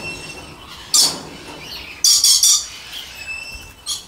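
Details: Pure-subspecies Moluccan red lories giving brief, piercing high screeches: one single blast, then a quick triple burst, and a softer final squeal, over a quiet hiss.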